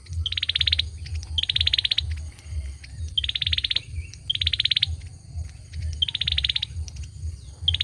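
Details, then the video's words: A male olive-backed sunbird repeats dense, buzzy high trills about six times in steady succession, with a low droning hum throughout. "Tiếng chim sâu dừa hót | Tiếng sâu dừa trống hót"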